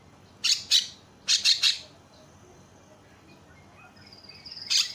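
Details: Javan myna; call; luring other mynas into calling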